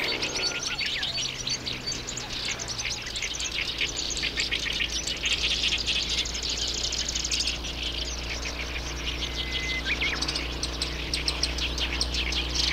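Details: Black-browed reed warbler song, an unbroken stream of rapid scratchy chirps and rattling trills at high pitch, with a low steady hum beneath and one brief clear whistle near the end.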